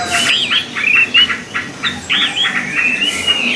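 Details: Orange-headed thrush (anis merah), a kept songbird: a lively series of short, choppy whistled notes and quick slurs, repeated rapidly, set against constant hiss.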